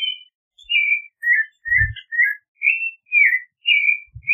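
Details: Clay-colored thrush song: mellow, slurred whistled phrases repeating roughly every half second, some rising and some falling, with a couple of soft low thumps in the background.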